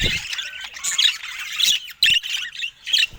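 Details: Pet budgerigar chatter: busy high warbling, squeaky chirps and scratchy notes, with louder bursts near one, two and three seconds and brief quiet gaps between phrases.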